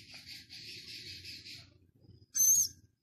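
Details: Prague Zoo's six-day-old Philippine scops owl chick, captive, 13 August: a sustained, rasping hiss for over a second, a quiet gap, then one loud, high, piercing screech.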